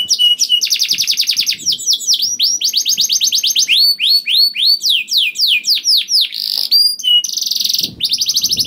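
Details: Canary singing to provoke other canaries: rapid rattling trills alternating with rising and falling whistled slurs, bright high notes and buzzy bursts, very varied and continuous.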